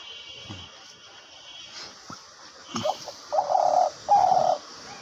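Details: Captive decoy hunting dove calling even while its beak is held shut: after faint rustles, two loud, low, steady coos, each about half a second, follow in quick succession near the end.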